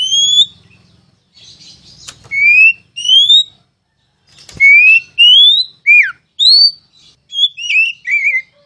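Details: Oriental magpie-robin (kacer) masteran tutor song: loud rising whistles and down-slurred notes in clusters, ending in a quick twittering phrase, with a couple of sharp clicks and low background hum.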